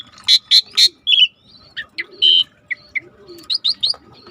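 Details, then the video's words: Starling singing for a training recording: loud sharp chirps, a buzzy note, scattered short whistles and a closing trio of high rising chirps, with a faint low background tone. "Suara jarak Suret gacor /the sound of the starling suret gacor masteran"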